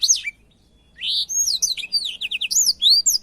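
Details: Blackthroat singing, recorded as a model for canaries to learn: a short opening whistle, a pause, then quick rising and falling slurred notes and fast trilled chips.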